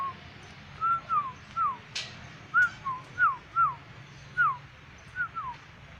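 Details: Lively black-winged myna with yellow crest: steady series of sharply downslurred whistles, about two per second in places, interrupted by a couple of brief clicks, with low background noise.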